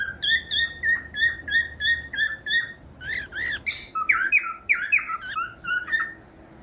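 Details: Cockatiel song for training young or silent pet cockatiels: a series of even whistled notes gives way to a burst of harsher, warbling chatter and upward-sweeping whistles, then softer repeated notes.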